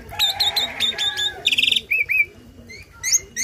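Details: Tame starling with a loud, varied song filled with learned phrases, used as tutor song for other birds: repeated chirps near the start, a buzzy trill, then short rising and falling whistles and high slurred notes.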